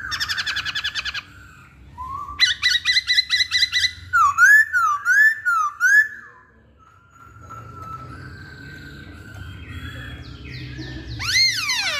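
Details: Varied Hwamei song: a chattering burst, a string of sharp repeated notes, then rolling up-and-down whistles, a quiet pause with a low hum, and a final rising sweep.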